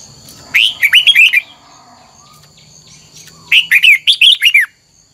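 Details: Singing red-whiskered bulbul trained for a 'double twisted' note style: two bright phrases of five or six rapid, slurred whistles, each swooping down then up, separated by about two seconds of near silence with low background hum.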